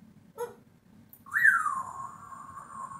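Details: Pet African grey parrot indoors: a short buzzy note, then a loud whistled tone that jumps up, slides down and holds steady for over a second in a quiet room.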